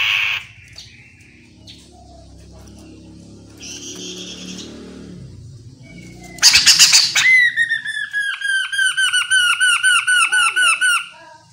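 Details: Chestnut-capped laughingthrush, locally called Poksay Mandarin, singing a lure song meant to draw other birds into answering. Faint scratchy notes give way to a harsh loud burst, then a fast run of about a dozen ringing, down-slurred whistles, roughly four each second.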